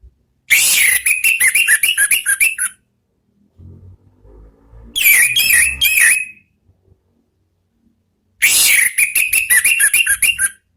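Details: Ngeplong-style song of an orange-headed thrush, played to lure birds: three loud outbursts of rapid, ringing whistled notes, each lasting about two seconds, with quiet gaps and faint thumps between.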